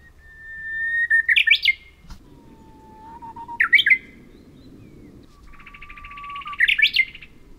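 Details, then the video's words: Bush warbler song recorded 3 May 2023 on Oeyeondo island in Boryeong, South Korea: three phrases, each a sustained whistle, high first, then low, then mid, ending in an explosive slurred flourish, over faint background hiss. "휘파람새 bush warbler"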